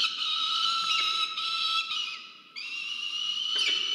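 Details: Peregrine falcon at a university research nest camera in Orange, New South Wales, Australia, 15 November 2022, as the male brings food: a sustained, harmonically rich wailing tone holding steady, breaking briefly and resuming slightly higher.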